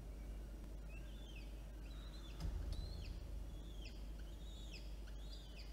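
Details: Peregrine falcon chicks, an older and a younger one, being fed by the adult female at Orange, NSW, 9 October 2022; thin, high down-slurred squeals repeat irregularly over steady low hum and a thump.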